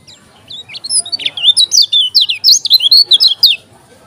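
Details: Lemon-bellied white-eye (kecial kuning) from Lombok singing fiercely: a fast, loud run of high whistled, swooping notes, roughly three per second, with quiet room noise beneath.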